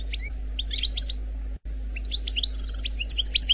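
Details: Faultless wild-type song from an Algerian goldfinch: a loose phrase of high chirps, a short gap, then a livelier burst of twittering notes and sharp accented chirps, with a low background hum.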